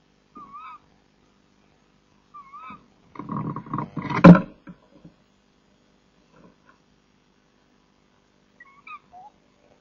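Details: At 03:26 on 10 April 2014 in a nest box, a male tawny owl brings prey, likely a mouse, to the female. Both call: short, soft, hooked mid-pitched notes a couple of seconds apart, with rustling and thumping.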